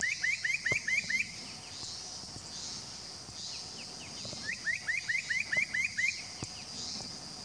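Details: Wild spot-breasted parrotbill calling at Doi Lang in Fang, Thailand, on 25 March 2017. Two bursts of six or seven quick rising whistles, evenly spaced. Constant high-pitched background hum of insects.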